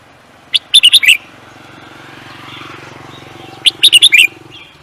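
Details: Competition songbird repeats a rapid phrase of five sharp, high chirps ending in a downward slur, twice about three seconds apart, over a steady low mechanical hum.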